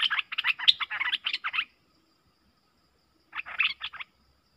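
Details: Two Streak-eared bulbuls matched in an intense song duel, October 2021: a fast, buzzy chattering phrase of around ten notes, a gap, then a shorter answering burst.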